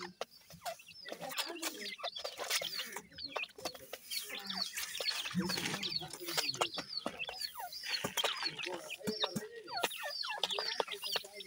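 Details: Francolin (teetar) chicks during feeding, a dense stream of thin, upslurred peeps overlapping one another, mixed with sharp clicks and tapping.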